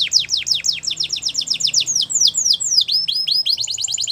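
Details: Song from a canary used to train young birds: a continuous string of quick, sharply descending chirps, repeated about twice per second with slight variation in pitch, over faint low background hum.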